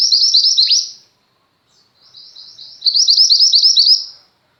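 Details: High, rapid twitter from a chatty female Mountain White-eye used to tutor pet white-eyes: a loud burst ending in a downward slur, a pause, then soft chatter rising to a longer loud string of quick sharp notes.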